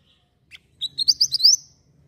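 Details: Javan white-eye singing, used as tutor material for songbirds: one sharp high note, then a quick run of about six bright, rising chirps blending into a shrill trill that lasts under a second.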